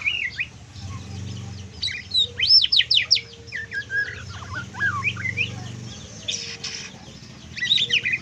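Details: White-rumped shama delivering trotol song, full kriwikan: dense clusters of sharp rising and falling notes, loudest early, then softer scattered whistles, against a persistent low hum.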